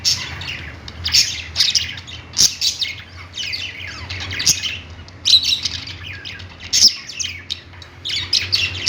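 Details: Budgerigars singing on a perch in a pet store: dense, overlapping high chirps and squawky warbles in bursts roughly every second, with a steady low hum underneath.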